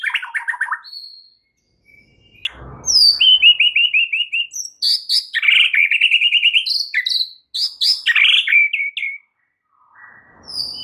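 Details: White-rumped shama performing a full repertoire of 'isian' filler song, used to stimulate a caged shama that has stopped singing: loud bursts of varied whistles and a fast run of repeated notes, separated by short pauses.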